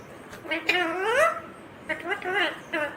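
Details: Ringneck green parrot, a rose-ringed parakeet, talking: speech-like voiced phrases with wavering, sliding pitch, one longer run of syllables followed after a short pause by two briefer bursts, with a quiet background.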